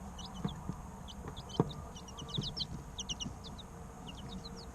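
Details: Chicks at three weeks old peeping as they play: rapid series of thin, falling, high-pitched chirps in uneven clusters, with a few sharp knocks and a low hum beneath.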